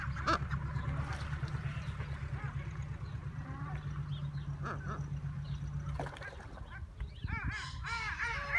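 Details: Greater kelp goose (Chloephaga hybrida malvinarum), an aviculture bird, gives a quick run of short, nasal, arching calls near the end, over a steady low mechanical hum.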